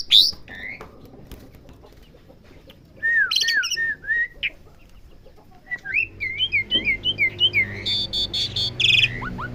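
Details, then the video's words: Asian pied starling in training to learn sounds: long quiet stretches, then a burst of short looping whistles, a pause, and a faster series of twisting chirps ending in harsh buzzy notes, with faint low background hum. "Melatih jalak suren belajar bunyi"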